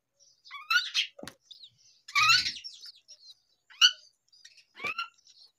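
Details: Hungry baby myna begging: harsh, harmonic squawks in short bursts about once a second, with faint high chirps between them, indoors.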